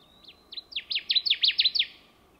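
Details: A singing male Connecticut Warbler in the boreal forest of the western Great Lakes during the breeding season: a loud, quick series of about eight emphatic, rising-and-falling chirpy phrases, building in volume over two seconds.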